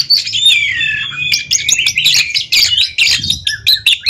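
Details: Two caged Oriental magpie-robins face off in a ring song competition: a drawn-out downward whistle, then dense staccato chips and whistles, fast and nearly nonstop.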